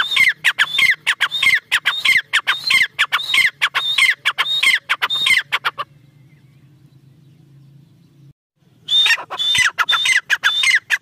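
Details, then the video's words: Female black francolin, known locally as teetar, giving fast repeated grating calls, each note a high flat whistle falling away, nearly two per second; a silent stretch with low hum interrupts before the series picks up again. "female tertar awaz"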